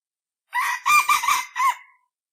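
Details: A single rooster gives a rough, hoarse crow in a yard: one harsh crow of about one and a half seconds in three or four loud pulses, ending in a falling tail, with silence around it.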